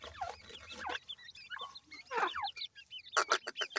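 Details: Downward-sweeping chirps come in small clusters from young grey francolins (dakhni teetar), then a fast row of crisp clicks near the end.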